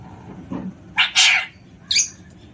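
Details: Playful pet Alexandrine parakeet producing loud, raspy, noisy screeches, two close together and a third after a short pause.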